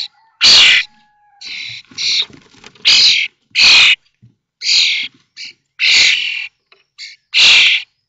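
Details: Nestling common starlings, five in one brood, calling from the nest on fledging day at Théding, 19 May 2024; a series of loud hoarse rasping shrieks, irregular, with softer buzzy calls and a brief thin whistle early on.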